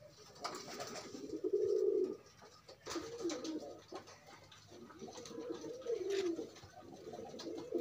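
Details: Courting pigeons, loose rather than penned, give deep bubbling coos in bouts of about a second, separated by pauses and faint clicks, repeated several times.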